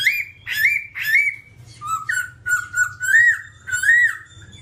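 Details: A babbler, described as all black, sings a varied series: three rising, harsh-edged whistled notes, then a run of slurred warbling whistles that rise and fall, with a steady low hum beneath.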